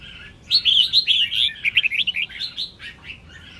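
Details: Red-whiskered bulbul, a female, singing to stir males: a continuous chattering warble of quick, bright slurred notes, rapidly repeated and uneven in rhythm, fading into scattered chirps.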